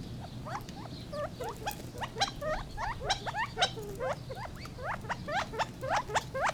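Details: Gambel's quail group chattering: many quick, sharply rising notes overlapping, irregular but continuous, louder in bursts, over a steady low hum.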